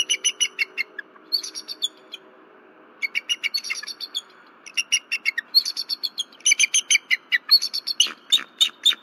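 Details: Disturbed after dark at her Berry College nest, a female bald eagle calls loudly until her mate lands on the outside branch. Fast staccato chatter comes in many short high-pitched phrases separated by brief pauses.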